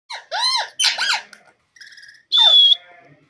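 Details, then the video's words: Male and female parrot fighting: a run of loud, harsh squawks with arching tones, then a short nasal note and a shrill, strained, steady screech. "parrot bird male and female talking,parrot fight"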